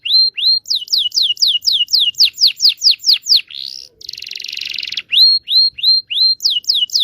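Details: Prompting song of a canary for young learners: upslurred whistles, a quick run of sweeping notes, a broad buzzy roll, then whistled upslurs and sweeps again.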